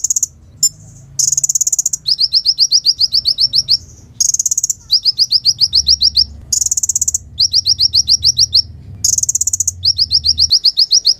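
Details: Kolibri ninja sunbird delivering a rapid, very high song: short hissy bursts each followed by long runs of fast repeated ticking notes, the pattern repeating four times.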